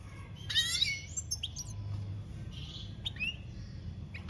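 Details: European goldfinch, campero song, 2021: scattered high twittered notes, a short buzzy rasping phrase and a few separate upward-sliding chirps over steady low background noise, fairly soft overall.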